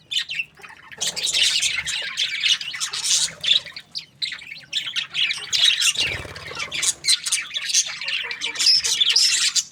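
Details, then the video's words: Several budgies chirping together in a steady, dense chatter of high scratchy warbles and squawky notes, with brief pauses near the start and around the sixth second before the chorus resumes. "Beautiful budgies chirping sounds"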